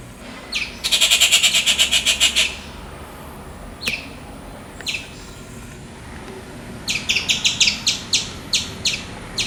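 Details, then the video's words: Rufous treepie making loud, raspy calls in natural habitat: a quick harsh rattle of rapid pulses, scattered sharp single notes, then a burst of clipped, descending chattering notes near the end. "Rufous treepie bird making loud sounds - ഓലഞ്ഞാലി പക്ഷിയുടെ ശബ്ദം"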